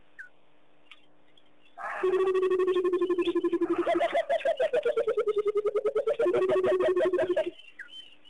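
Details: Burchell's coucals sing at Pete's Pond, Mashatu Game Reserve, Botswana, on 21 January 2010 while cattle egrets dance: a deep, hollow bubbling run of rapid notes for about five seconds, swelling and falling like water from a bottle; faint bird calls around.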